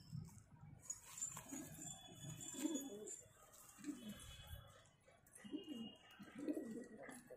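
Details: A pair of Cheena pigeons, with low, soft cooing phrases rising and falling in several bursts, mixed with faint room noise and some higher chirps.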